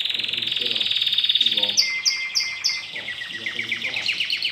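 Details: Song of a newly acquired caged domestic canary in training: a fast rolling trill, then clipped high whistled notes and quick descending chirps, with some low murmuring in the background.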